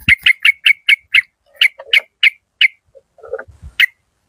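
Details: Malay-strain yellow-vented bulbul decoy, described as fierce: a fast run of sharp, clipped 'rik' notes that slows into spaced single notes. A few low, harsh chatters and one final sharp note follow.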